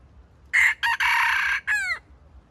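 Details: Red junglefowl decoy used as stuttering bait to lure wild chickens into a trap, giving a loud, harsh crow broken into separate bursts, with a short break after the first burst and a falling, ringing final note, over quiet background.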